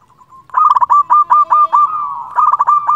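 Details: Local zebra dove in full song, used to call rivals and as a trapping lure: a soft hum opening into a burst of loud, clipped cooing notes, then a steady rolling trill and a second staccato run.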